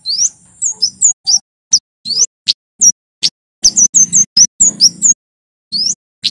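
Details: Male white-bellied sunbird (kemade Jawa), full song used as a lure for silent or stressed birds: high chirps and slurred whistles, singly and in quick clusters, about two a second, with short silent gaps.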